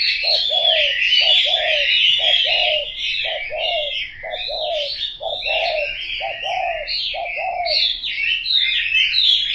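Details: A spotted dove gives a long series of low, hollow two-part coos, rapidly repeated, beneath busy, high twittering from a crowd of other birds.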